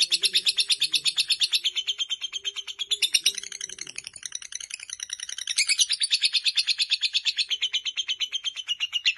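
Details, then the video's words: Fighter lovebird delivering its long chattering song, a performance running nearly four minutes: a fast, dense stream of rasping high notes, about three per second, briefly softening midway before resuming strongly. "Lovebird Fighter durasi hampir 4 menit"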